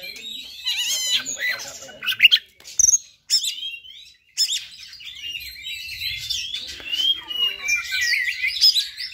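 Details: High-pitched fighter song of an Oriental magpie-robin, used to stir up other magpie-robins: rich mix of sweet whistles, rapid twitters and harsh notes, broken by brief silences.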